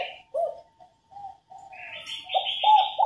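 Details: Female spotted dove calling to stimulate males to sing: soft low coos at first, then a run of louder short hoots at the end, overlaid by a thin higher chirping from another bird.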